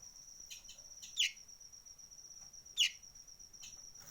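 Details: Sunbird, known locally as kolibri ninja, giving a strange call: sharp, high chips with two louder notes about a second and a half apart, over a steady, thin, high insect-like whine.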